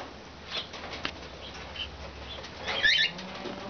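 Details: Cockatiels, among them a half-sider, on 6 March 2012: a short, scratchy, warbling call late in the recording, preceded by faint clicks and soft rustling over a low background hum.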